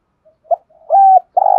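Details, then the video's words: Spotted dove giving the urging coo style known locally as thúc gù: a soft low note, a short coo, then a long steady hooting coo and another sustained coo, with no other sounds. "cu gáy thúc gù"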